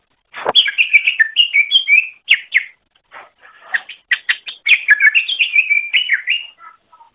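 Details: Greater green leafbird song meant for tutoring other birds: a sudden sharp click opens a long, rambling series of quick chirps and liquid whistles, a short gap of softer notes, then a dense warbling passage trailing into faint calls.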